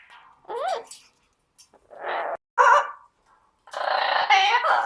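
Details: Pet Amazon parrot imitating opera singing it heard from online videos, loud wavering voice-like phrases with sliding pitch, broken by short pauses, indoors.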